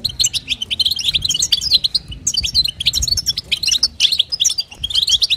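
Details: A female European goldfinch's stimulating call to the male, locally named batbata and sastasa: fast, high twittering in phrases of about a second, separated by brief pauses.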